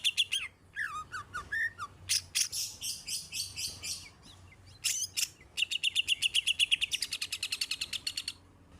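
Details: Greater green leafbird, a caged songbird with a special trained fill, delivering rapid chirps and rising whistles, a burst of harsh buzzy notes, then a long fast rattling trill.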